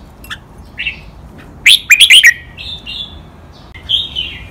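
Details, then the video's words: Training song from a caged red-whiskered bulbul, doubled and counted notes in 'lak wai' style. Soft introductory whistles build to a loud run of four quick notes, followed by drawn-out, gently wavering whistles. "นกกรงหัวจุก | เสียงร้องเบิ้ลๆ นับดอก แม่บท ลากหวาย คมชัดทุกดอก"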